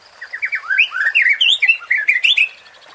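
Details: Flowing, melodious white-rumped shama song, used to rouse contest birds: a continuous chain of warbled whistles climbing and dipping in pitch.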